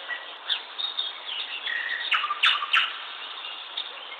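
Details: A bird chirping: a few short, bright chirps cluster near the middle over a steady hiss, with faint quieter notes before and after.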